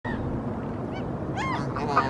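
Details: Two Canada geese walking on temporarily exposed seabed in Helsinki, Finland, in April 2023 give a few short, nasal honks, with a louder rising-falling honk near the end, over a steady low outdoor rumble.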